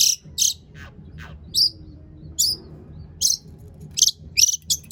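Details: Long-tailed shrike song played as a lure to make other shrikes sing: scattered short, very high harsh bursts and a few thin descending notes, separated by brief pauses, with a low steady hum behind.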